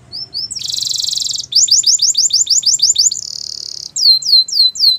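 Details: Russian canary song in quick changing tours: a dense buzzy roll, a series of bright slurred chips repeated about five per second, a short rattle, then high descending whistled sweeps.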